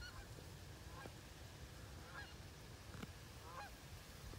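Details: Wood ducks recorded in 2018, giving short squealing whistled calls that slide up and down, several spaced through the clip over a steady low rumble of background noise.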